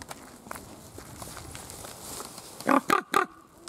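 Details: Captive common ravens at Schönbrunn Zoo in February 2020, filmed on a Panasonic HC-V270 camcorder: after a quiet stretch of low background noise, three short, harsh, hoarse calls come in quick succession near the end.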